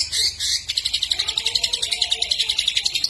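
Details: Greater green leafbird (cucak ijo) singing vigorously, a song filled with kapas tembak and lovebird imitations. A brief high burst opens, then a fast, even train of sharp chirps, about four each second, runs to the end.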